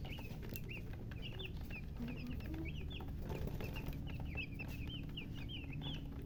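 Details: Chirping from newly hatched chicken chicks: many thin, bright peeps, some rising and some falling, tumbling over one another almost without a break. Steady low background hum.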